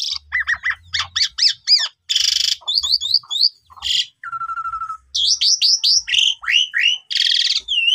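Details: Asian pied starling song used as a lure to rouse starlings that have stopped singing: rapid paired whistled notes, a loud harsh hiss, a steady flat whistle, then rising slurred whistles and another buzzy burst.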